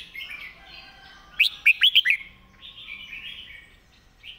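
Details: Red-whiskered bulbul master song for teaching birds. A loud string of about five quick, rising fluty notes rises above a continuous background of soft warbling.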